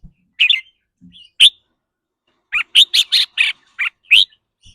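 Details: Red-whiskered bulbul delivering the rapid rik rua or rik boen song, which depends on the bird's mood: a few chirps and a sharp note, a pause, then a quick string of seven loud, clipped notes.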